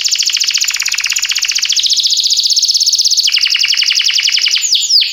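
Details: A canary sings a training song, an unbroken rapid rolling trill that drops lower partway through, then rises again, closing with a couple of quick descending sweeps.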